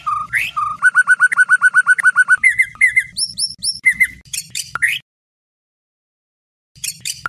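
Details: Murai batu, the white-rumped shama, singing a night training song for contest birds: a run of about a dozen quick, evenly repeated whistled notes, then higher chirps and rising whistles before a pause.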